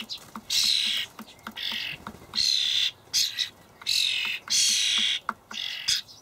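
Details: Fledgling common starlings calling for food as adults bring dried buffalo worms in an allotment garden in Hamburg, late May 2012; loud grating, hissy screeches in rapid series, each under a second, separated by brief pauses and soft ticks.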